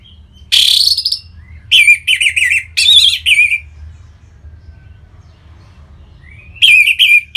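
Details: Orange-headed thrush (Geokichla citrina), a kept bird in northern Bali, sings rich, varied phrases of high warbled and chattering notes in short bursts with pauses, over music and a faint low hum.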